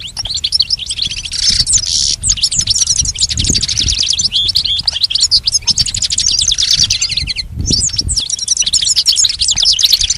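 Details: Goldfinch singing as tutoring material for a pet goldfinch: an unbroken stream of rapid, high, chattering twitters and liquid trills, dense and lively, with one short break near the end and a soft low background hum.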